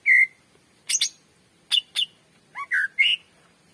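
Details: Greater green leafbird (cucak ijo) master song, played to lure and train other birds: a clear pure whistle, then paired sharp chips and a few short slurred whistled notes, spaced out over four seconds.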